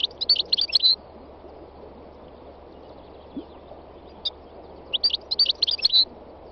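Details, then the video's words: Wild goldfinch singing in bursts of bright, rapid twittering notes, one phrase opening and another closing, with a single isolated chirp between them and a constant low hum beneath. "chant chardonneret sauvage khalwi goldfinch تغريد مقنين خلوي"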